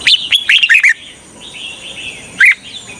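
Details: Short burst from a red-whiskered bulbul decoy used to attract wild birds for trapping: a rapid cluster of bright, slurred whistles, a quieter warble, then one sharp chirp near the end.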